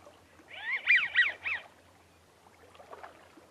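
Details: American wigeon giving its quiet, wheezy 'zoo zoo zoo' whistled call of three quick rising-falling notes, which does not carry far, followed by faint background chatter from other birds.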